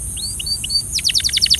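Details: Belgian canary training song: three soft upward whistles followed by a rapid series of bright descending chirped notes.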